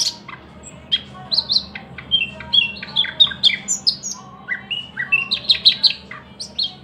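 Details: Thrush nightingale singing steadily: bright high whistles and chips repeated in quick clusters, an upslurred note sequence midway, and a run of loud paired notes near the end, with a soft low hum.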